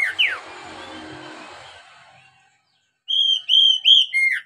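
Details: Oriental magpie-robin used as a singing lure for beginner captive birds: a falling slur fading into hiss, a pause, then a lively run of crisp whistled notes with quick drops.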